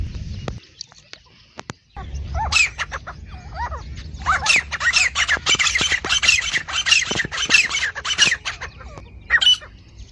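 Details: Iranian or Dhakni partridge, male or female, for calling and hunting partridges: after a quiet start, a dense stretch of harsh, rasping calls builds up, with overlapping squawky notes and a final isolated call.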